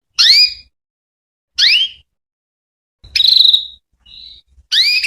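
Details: Canary hen calling to lure male canaries into replying: two bright upswept notes, a loud buzzy trill, a faint soft whistle, then another upswept call.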